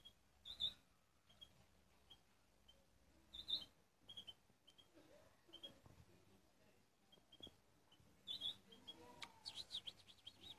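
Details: European goldfinch, eight months old, in its salaka singing stage: scattered short, high chirps spaced a second or two apart, building to a quick burst of twittering, sweeping notes at the end over a faint background hiss.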